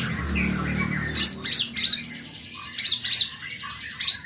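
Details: Young white-rumped shama giving a few clear, high, up-slurred whistles and short chirps in brief bursts separated by pauses, after an opening of low rumbling background noise.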